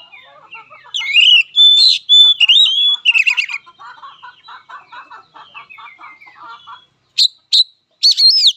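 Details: Oriental magpie-robin in fighting song: a loud run of swooping whistles and buzzy trills, followed by a long series of soft low ticking notes, then three sharp loud whistled notes at the end.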